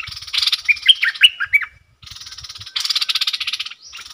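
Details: A decoy bulbul singing to wild birds mixes a buzzy rattle with four or five quick upward-flicking whistles, falls briefly silent, then resumes a long rattling chatter.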